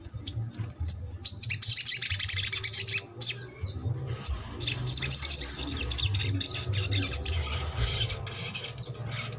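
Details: Sogok ontong song used to make a silent or lazy bird start singing: long bursts of rapid, very high buzzy chattering trills, broken by short pauses, with a low hum underneath.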